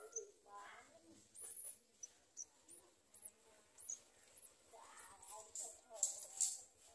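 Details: Garden sunbird parent feeding its small chick, with the young giving high thin squeaks and short rising chirps in quick irregular series, some louder bursts toward the end, over a faint low background rumble.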